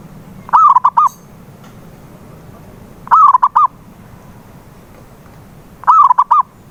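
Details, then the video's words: Zebra dove call played as a lure for a silent dove, with three short bursts of fast rolling coo notes, each burst under a second long and repeated roughly every three seconds against faint low hum. "PANCINGAN SUARA PERKUTUT BISU"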